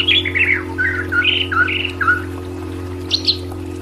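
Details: White-rumped shama pours out a run of rich whistled notes dipping and rising in quick succession, then two sharp high notes after a pause, with constant low mechanical hum behind.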